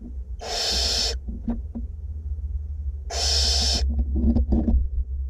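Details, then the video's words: Two barn owlets being fed in a nest box in north Glasgow: two long, harsh, broadband hissing screeches about three seconds apart, with soft clicks and shuffling noises between them. "Barn owlets feeding"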